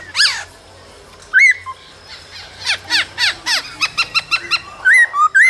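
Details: Male laughingthrush in song during the cold season, with female calls used to rouse new captive birds: mixed sharp chirps, descending whistles and quick clipped notes, ending in looping whistled phrases.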